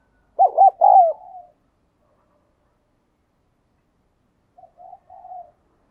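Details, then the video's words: Decoy spotted dove calling wild doves with thúc and gáy gọi bổi cooing. One loud phrase of two short notes and a longer falling note comes first. A few seconds later, three much softer, quieter coos follow. "Tiếng Chim Cu Mồi thúc Và Gáy Gọi Bổi"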